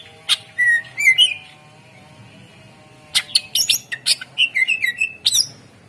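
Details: Greater green leafbird used as a lure to get silent birds singing: a few sharp chips and slurred whistles, a two-second gap, then a fast busy burst of chattering and whistled notes.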